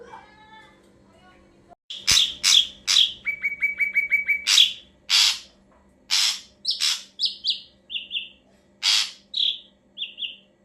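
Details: Ashy drongo song for luring birds: a long varied sequence of harsh rasping bursts, a fast rattle of short repeated notes, and clear paired whistles, after a short quiet start with soft lower notes.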